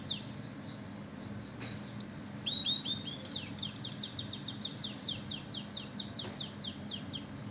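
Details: Canary-style mimicry from an Oriental magpie-robin in full song. Scattered high notes and a short whistled phrase give way to a rapid, rhythmic series of steeply falling chirps, repeated many times over a low steady hum.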